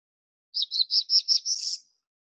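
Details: Black-throated Blue Warbler song in hardwood and mixed forest at about 1,500 feet on Mt Abraham, western Maine, in June: about seven high, buzzy notes in just over a second, ending in a slightly rising, drawn-out buzz.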